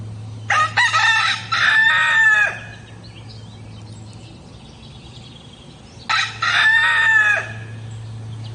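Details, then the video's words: Morning crowing of a rooster, two long drawn-out crows about five seconds apart, each opening with short choppy notes before a sustained harmonic tone that falls away, with a steady low hum underneath. "rooster crowing loud sound effects in the morning"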